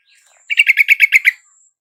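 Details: Yellow-vented bulbul singing, played to coax a caged bird that has stopped singing into answering: seven rapid, evenly spaced bubbly notes in a rich chortling burst over a faint, thin high whistle.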